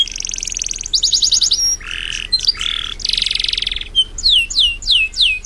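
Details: A canary in full, lively song, used as a master recording for teaching birds, mixes high buzzy rolls, lower rattling trills and a closing series of clear sweeping notes falling in pitch, repeated roughly every half second.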